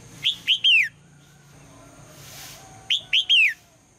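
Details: Female red-whiskered bulbul calling early in the day so the male will sing, two loud phrases of three whistled notes, the last note longest and sweeping down, separated by about two seconds with a brief hiss between.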